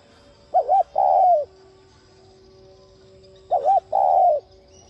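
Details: Cooing of a spotted dove, meant to stimulate other doves to coo. Twice it gives a brief wavering two-part note and then a long smooth coo that drops at the close, with a quiet gap and faint hum between.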